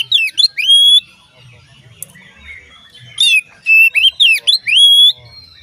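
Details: Song of an Oriental magpie-robin, meant to get other magpie-robins calling: rich whistled notes bending up and down in short bursts, a near-silent gap of soft twittering, then several loud piping phrases again.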